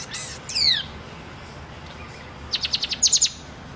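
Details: Black-and-white pet bird with a silver beak singing: two high swooping down-slurred whistles open, then a pause and a quick rhythmic series of about eight sharp, very high chirps near the end.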